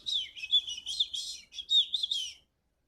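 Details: Small pet sanger bird produces a quieter, rolling high twitter of rapid buzzy trills over a steady whistled tone. A faint low hum sits in the background.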